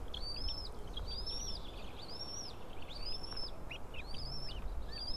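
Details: At a white-tailed eagle nest on an April 2016 morning, a female feeds three tiny chicks from a pile of fish; high, downward-arching peeps come roughly once a second, clear above a soft low background hum.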